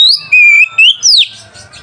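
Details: Oriental magpie-robin song aimed at rousing mating drive and rival aggression: a quick run of four ringing whistles, level then rising, ending in a sharp downward slur.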